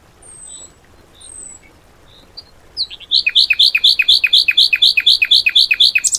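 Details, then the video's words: Song material for tutoring caged birds, 'tembakan' style: a few thin high whistles and soft squeaks, then a regular, rapid string of sharp down-slurred notes, around fifteen in three seconds. "MATERI ISIAN BURUNG TEMBAKAN MEWAH POWER DOOR"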